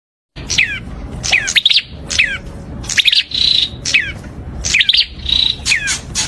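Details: Prinia giving fast series of descending chirps, each falling in pitch, repeated in clusters about every second, with an occasional short buzzy note over a steady low background hum.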